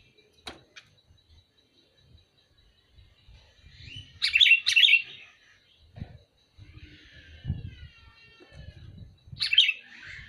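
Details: Sooty-headed bulbul calling: a brief click, then a loud double burst of bubbly chirps, a softer warbling trill, and a final bubbly burst at the end, over faint low knocking noises.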